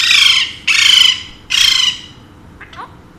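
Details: Domestic Alexandrine parakeet, one of a pair, screeches three times in quick succession, each call harsh and sustained. A couple of faint chirps follow.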